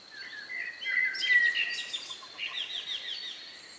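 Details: Evening birdsong a few minutes before night in the countryside, recorded 2 May 2020 near 9 p.m. with a stereo pair of microphones; sliding whistles and quick high trills over a soft background.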